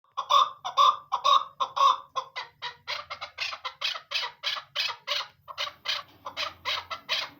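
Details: Female chukar partridge calling, a rapid series of harsh clucking chuk notes repeated about twice a second, steady at first and then quickening and running together in a long rhythmic chatter.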